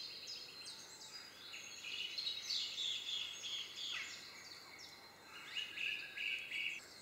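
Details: European greenfinch filmed in Cornwall: a busy twittering song of quick high trills and chirps, rising to a louder run in the middle, then short repeated trilled phrases near the end.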